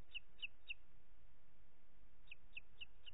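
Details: Booted eagle at its nest in Els Ports Natural Park, Catalonia, on 25 June 2021 at 21:38, as the mother feeds two chicks dinner, gives short, high, thin whistled notes, three then four at about four per second, over wind rumble.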